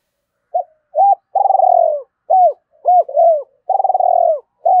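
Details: Cooing spotted dove meant to pull in wild birds: clipped hoots alternate with two long vibrating purrs that slide downward, a steady low mellow phrase repeated twice, quiet background.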